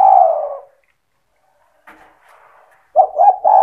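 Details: Spotted dove singing 'cetretan' style to provoke rival doves: the tail of a long purring coo, faint rustling, then a new phrase of quick low coos and a sustained note.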